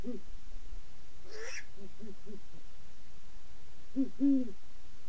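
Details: A pair of great horned owls giving low, muffled hoots, a few at the start, a quieter run after one second and a louder double hoot near the end, with a short breathy hiss between.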